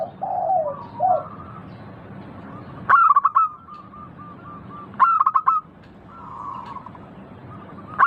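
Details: Local zebra dove in clear song: opening low bubbling coos, then two bursts of rapid sharp notes, each trailing into evenly spaced softer notes, and a final burst at the end.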